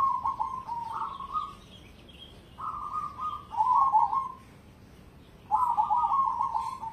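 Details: Zebra dove of the cemani type, a competition-grade bird, singing: soft, low cooing phrases with rapid bubbling trills, given in three bursts over seven seconds with quiet pauses between.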